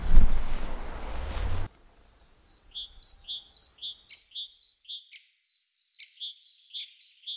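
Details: Great tit singing in late January at a forest edge by orchard meadows on a grey, cold day: a bright, ringing two-note phrase, high then lower, repeated rapidly in a steady seesaw run, after low rumbling noise at the start.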